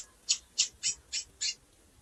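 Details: A female curió, or chestnut-bellied seed finch, calls in a steady run of five high, harsh chips spaced about a quarter second apart in a quiet setting.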